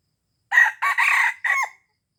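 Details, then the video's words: Red junglefowl crow from Aceh, used to lure wild birds: four clipped, hoarse bursts in quick succession, a short opener, a longer middle pair, and a final note ending in a rising tail, with silence around. "Ayam Hutan Aceh # Pikat Ayam Hutan Ori"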